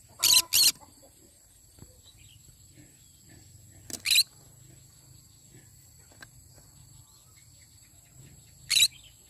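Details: Morning calls of a yellow-sided conure: brief shrill screeches, a quick pair at the start, then single harsh bursts several seconds apart over a steady low hum and faint high tones.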